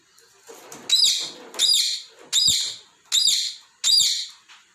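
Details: Indoor pet talking parrot playing with balls and scolding them: five loud, grating, high-pitched chirps, each a rasping burst that swells and trails off, spaced under a second apart in a small room.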